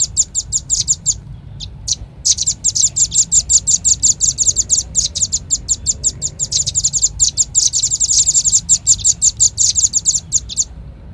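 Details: Velvet-fronted nuthatch luring call: short bursts of piercing chips, a pause, then a long dense run of fast high chips that continues for several seconds.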